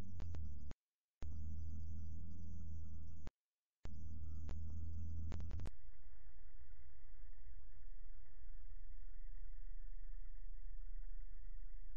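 Only a steady low hum with two brief dropouts, then a flat electronic hiss and a high whine, with no animal calls.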